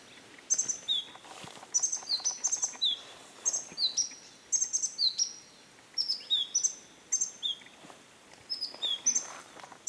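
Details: Himalayan black-lored tit at Sattal, Uttarakhand, at dusk on 21 Feb 2022, calling for minutes: high, thin sharp chips mixed with short downslurred whistles, in quick bursts of three to five about every second, over faint hiss.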